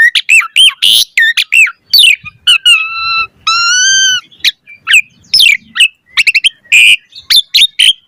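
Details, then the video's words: Asian pied starling in rich 'gacor mompa' lure song: rapid arched whistles and squawks, then two held whistled tones, followed by sharp chirps and slurred notes in quick succession. "Jalak Suren Gacor Mompa Variasi Suara Burung Kicau Cepat NYAUT Gacor Full Isian Mewah"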